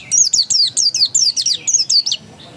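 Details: Oriental white-eye of the dakun variety singing ngotot style: a rapid, continuous string of about a dozen bright, descending whistled notes, each sliding down sharply, ending abruptly.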